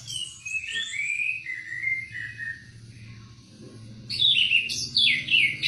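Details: Oriental white-eye singing as tutor material for other birds: a soft warbled stream of high slurred notes that fades, then a louder burst of bright, fast twittering phrases. Steady low background rumble.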